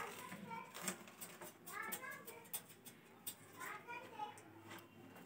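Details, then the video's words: A talking rose-ringed (ringneck) parakeet speaks in short, high, childlike word-like phrases, broken by sharp clicks and squeaks, in a small room. "Ringneck Parrots || Green Parrots || Talking Parrots"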